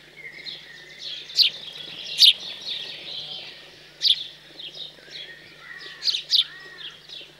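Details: Fledged house sparrows begging while fed, central France countryside, 15 June 2020; sparse sharp chirps, a few doubled, separated by quieter chattering and soft background twitters.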